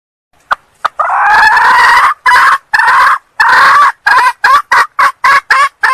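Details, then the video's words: Hen red junglefowl from Sumatra calling to lure males: two faint clicks, then a drawn-out rasping call and a string of loud, harsh bursts that grow shorter and quicker toward the end. "suara kokok ayam hutan betina pemikat ayam jantan"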